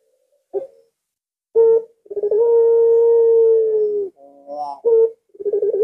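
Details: Barbary dove of the puter pelung type calling at midnight on a Thursday night: brief chopped notes, then a long level coo of about two seconds, followed by more short bursts and the start of another stutter.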